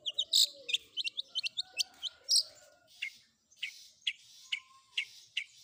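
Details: Long-tailed shrike isian combination song, a fast burst of crowded sharp chips and harsh notes, then sparser single high calls after a short pause, with faint lower whistles.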